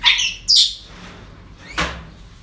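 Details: Parrots at a breeding centre: two loud harsh squawks in quick succession, then a shorter rasping call a second later, with quiet room noise between.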